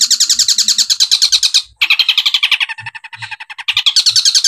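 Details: Long-tailed shrike, called cendet, in a masteran 'tembakan' song: continuous rapid buzzy chattering rattles, a short gap, then a lower, coarser rattling stream and renewed high dense chatter.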